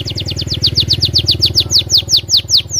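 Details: Loud canary song serving as a lure for other canaries: an unbroken chain of bright whistled notes sliding downward, repeated about five per second, over a throbbing low hum.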